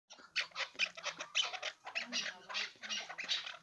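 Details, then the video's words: Hybrid chukar partridge calling in a rapid series of harsh, broadband chattering notes, several per second, irregular in rhythm with varying loudness. "Кабки Гибрид"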